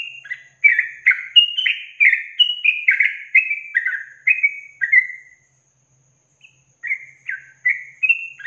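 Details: Long trilled 'ropel panjang' song of the yellow-vented bulbul (trucukan) for training songbirds: about a dozen bubbling, downslurred whistled phrases in rapid succession, a pause of roughly one and a half seconds, then four more phrases resuming the pattern.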